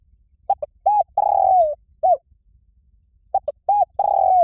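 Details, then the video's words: A spotted dove calls loudly and resonantly to provoke a fight. It gives a coo phrase of two short notes, a rounded note, a long falling note and a closing coo, repeated after a pause. Soft high chirping is heard behind. "Tiếng chim cu gáy gọi bổi rất to và vang cu gáy gọi đấu"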